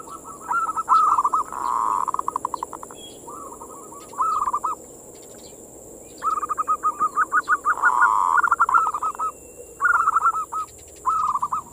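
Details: Manggung song of a zebra dove, played as bait to rouse other local doves into breeding mood: repeated bouts of fast, rolling, staccato coos, some phrases stretched into a continuous trill, with pauses between and a constant high hiss.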